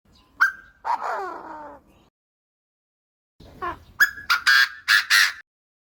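A francolin gives loud, harsh, grating notes in two short bursts, the second a quick run of rasping syllables, with silence between.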